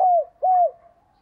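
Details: Decoy spotted dove, calling to lure wild doves, gives two low, smooth coos, each steady and then dropping at the end, followed by a faint trailing hum.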